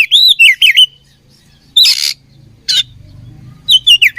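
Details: Fighting oriental magpie-robin from Indonesia gives a rapid run of bright looping whistles, then two harsh scratchy bursts separated by silence, ending with another quick set of bending whistled notes over a soft low rumble.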